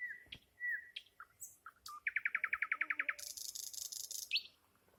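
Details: Nightingale in song: separate clear whistled notes near the start, then a fast even run of about fifteen sharp repeated notes, followed by a high buzzy rattling burst and a final rising whistle.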